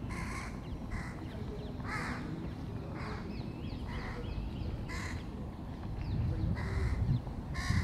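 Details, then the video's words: Crow young at feeding time, giving repeated harsh nasal calls roughly every second against steady low rumbling background noise. "Corneille / Crow Youngs feeding... or not."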